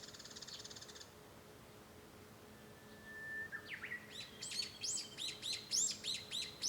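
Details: Heard from a room at home on 5 May 2013, a Japanese bush warbler holds a brief steady whistle, snaps into a sharp flourish, then launches into a rapid string of repeated high notes while faint chirps sound earlier.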